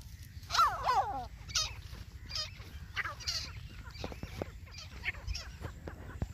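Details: White teetar partridge giving harsh, fowl-like calls: a loud grating burst at the start, then scattered shorter calls and clicks, with a constant low rumble behind.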